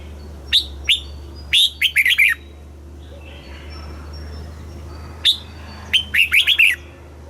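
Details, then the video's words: Southern-style master song of a red-whiskered bulbul from Thailand, meant for training young birds and rousing caged ones: two short sharp notes, a quick warbled run, a pause, then a repeat, over a steady low hum. "เสียงนกกรงหัวจุก สำหรับต่อ หรือ เปิดให้นกคึก เสียงเพราะๆ"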